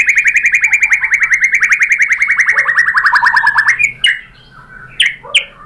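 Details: White-rumped shama song played to provoke other birds into singing: a rapid trill of clear whistled notes, about three per second, gliding slowly downward, then a few sharp rising whistles after a pause.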